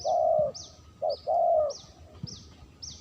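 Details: Spotted dove lure call: a long mellow low coo, a short clipped coo, then another drawn-out coo, over a steady series of high thin chirps from another bird, about two per second.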